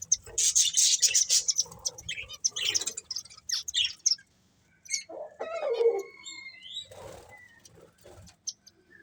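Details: Budgerigar breeding pair chattering in dense high warbles for the first seconds, then quieter, with a few longer whistled notes and a brief flutter of wings later on.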